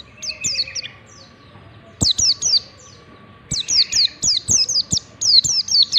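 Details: Warbling white-eye ngalas song used to coach young singers: three bursts of piercing, downward-slurred whistles that grow into a long rapid series near the end, with loud clicks and a steady background hum.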